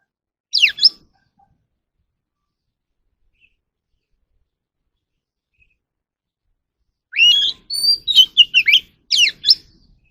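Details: Oriental magpie-robin, voice-training recording: a short pair of sharp downslurred notes, a long pause, then a rich phrase of rising whistles, held notes and fast chattering slurs.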